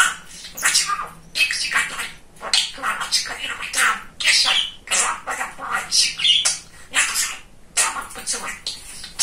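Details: Talkative young male budgerigar chattering in a small room: dense, high-pitched stream of scratchy mimicked speech syllables and squawks, almost continuous over nine seconds with brief gaps.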